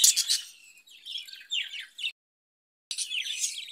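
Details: A caged budgerigar warbling in quick, scratchy chirps and squeaky twitters, high-pitched and jumbled, with a brief silent break before the chatter resumes.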